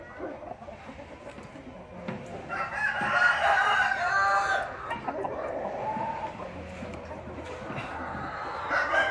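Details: Rooster crowing, a long strained cry rising to a loud, rough middle and then trailing off, with a quieter second phrase near the end over faint background rustling.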